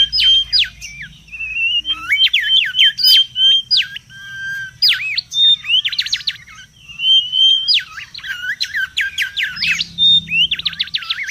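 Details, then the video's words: Noisy wild Mangrove whistler, for luring and tutoring: alternating bursts of fast trilled strokes and drawn-out level whistles, repeated across the recording with short gaps. "SUARA PIKAT DAN MASTERAN BURUNG KANCILAN BAKAU RIBUT DI ALAM LIAR"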